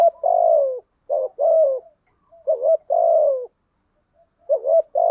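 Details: Decoy spotted dove cooing to provoke rival doves: low, hollow, mellow coos delivered in phrases, each a long drawn note paired with short clipped double notes, repeated with brief pauses between.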